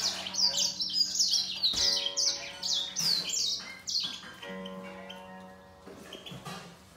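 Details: Grey singer finch singing against a green singer in a singing fight: fast, high chirpy trills and sliding whistled notes in rapid bursts, the two finches trading phrases, over a steady low tonal hum with musical harmonics.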